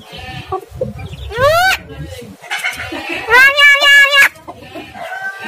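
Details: ['Calls meant to provoke a lazy caged starling: a rising, harsh screech followed by a longer, buzzy, wavering phrase with dense harmonics, amid softer chatter.']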